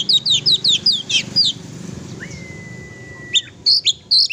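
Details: Oriental magpie-robin singing actively, used to provoke a pet magpie-robin into song: quick bursts of high, sharp chirped notes, then a long, steady, level whistle and more clipped chirps at the end.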